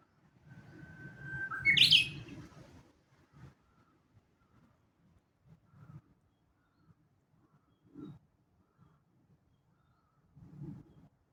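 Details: Japanese bush warbler singing in Kashiwanoha Park, Japan, in May 2025: a long steady whistle that jumps into a quick rising, twisting flourish. Soft low rumbles and faint clicks follow in a quiet background.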